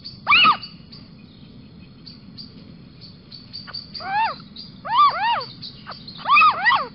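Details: A little owl calls on a balcony in Sprundel on 6 March 2020, giving loud, mewing 'kiew' calls that rise then drop, singly or in quick pairs every second or so, over a low background rumble.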